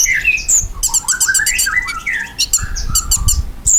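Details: Lively song of a ruby-cheeked sunbird, played as a lure so kept birds reply: fast twittering notes that swoop up and down, mixed with clusters of sharp high clicks and brief thin squeaks.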